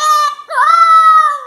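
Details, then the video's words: Pet parrot singing the song "Fuscão Preto" when prompted, a drawn-out, nasal, voice-like note in two phrases, the second held steady for about a second with strong harmonics. "Papagaio canta a música fuscão preto"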